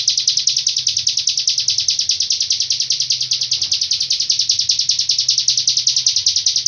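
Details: Hill prinia from Cililin singing a long-breath tutor song: a steady, high, rapidly pulsing buzzy trill that runs without a break for nearly seven seconds.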